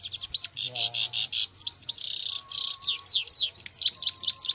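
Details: Pairing trained goldfinches give a bright, jumbled twitter: rapid high chips, a couple of buzzy, nasal stretches, then rows of sharp rising notes, with a faint whistle-like tone behind.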